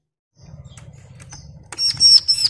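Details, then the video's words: A female Bar-winged Prinia calling to a male, used as a lure to make other prinias sing, gives a burst of sharp, very high chips and a thin sustained whistle after a low rumbling background hum. "Ciblek Semi nembak"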